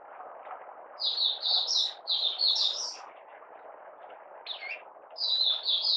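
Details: Malaysian Oriental white-eye, hobby bird in minor moult and out of form, 31 July 2023, giving buka sing: bright twittering phrases over steady low background hum, a single short note, then another chirpy run.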